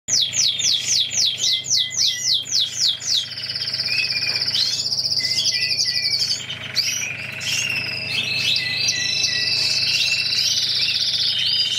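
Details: Mosaic canary during mating: loud fast song opening with rapid repeated high sweeping notes, then long sustained rolling trills and buzzy high tours with quick chirps layered in.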